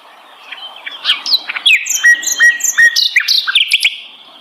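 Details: Flycatcher called sikatan londo singing a lively run of chirps and steady whistled notes repeated several times, ending in higher slurred notes.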